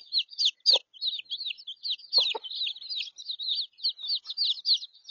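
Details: Chicks, three weeks old and abandoned by their mother, kept with three-day-old chicks for warmth in Australia; crosses including Wyandotte, Araucana, Easter Egger and Sebright. Dense high peeping, many short downslurred cheeps overlapping continuously, with a few soft low clucks.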